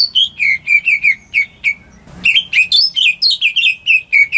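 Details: Home-raised greater green leafbird singing to prompt quiet birds: quick chirping whistles, a short pause with a soft rustle, then a busier stretch of rising and falling whistled notes.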